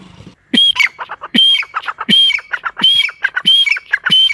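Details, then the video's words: Partridge in a forest giving a loud, harsh call series. Sharp ringing notes come in quick bursts about every second, with raspy chatter between them and faint background noise at the start. "جنگل میں تیتر کی بہت خوب صورت آواز"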